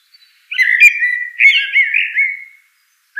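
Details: Long flowing blackbird song phrase of rolling, fluted whistles lasting about two seconds, with a brief high squeak at the start and the next phrase beginning at the end.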